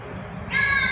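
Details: A crow in Ayodhya gives one harsh, raspy, voice-like utterance, said to imitate the words "Ram Ram", after half a second of low background rumble.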